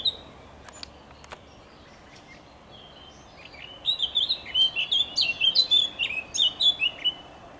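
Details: Song of a Eurasian blackcap, 27.05.2023: soft scattered notes at first, then a loud, fast run of bright fluty whistles sweeping up and down for about four seconds.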